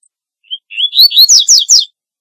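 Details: Double-collared seedeater calling song: an isolated short note, then a phrase of climbing whistles leading into four strong, evenly spaced downslurred notes, high and clear, ending after under two seconds.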